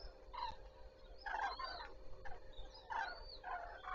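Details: Morning cranes on the Zastawie reservoir, 14 September 2023, giving clear trumpeting bouts about every one and a half seconds, some notes sliding upward at the end, with a faint background hum.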